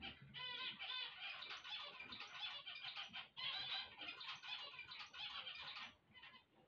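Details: Zebra finches singing on waking: a dense, continuous chorus of nasal, buzzy chatter and harmonic honks, busy for about six seconds with brief dips, several birds overlapping.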